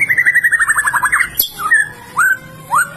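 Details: A recently moulted White-rumped shama, kept as a lure voice to make other shamas sing, gives a fast trill of about fifteen clear notes falling slightly in pitch, then a sharp click and a few rising, whistled phrases.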